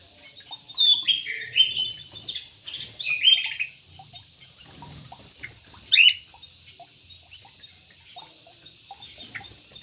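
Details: Aviary yellow-vented bulbul: a burst of fast, bubbly descending whistles in the first four seconds, quieter scattered notes, then one sharp loud chirp near six seconds.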